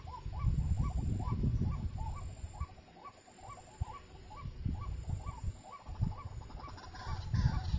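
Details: White-breasted waterhen, known locally as wak-wak or kreo padi, heard during bird trapping: a long regular series of short hooked croaking notes, about three per second, with intermittent deep rumbling noise.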